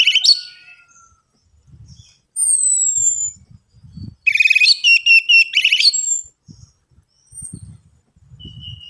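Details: Orange-headed thrush singing, a lure to stimulate silent birds: a sweet downslurred whistle, then a loud, dense rattling sequence of rapid repeated high notes, with scattered short whistles and low knocks between phrases.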